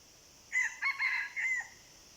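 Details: Red junglefowl, a wild bird drawn by a decoy, crows once: a raspy four-part phrase with a brief opening note, a short second, a drawn-out middle and a falling final syllable, above a soft hiss.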